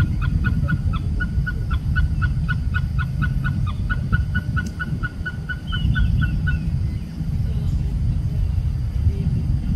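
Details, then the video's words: Oriental pied hornbill in Singapore, national park setting, giving a fast run of nasal, cackling notes, about three each second for six seconds, over a steady low rumble. "Oriental Pied Hornbill .... Calls"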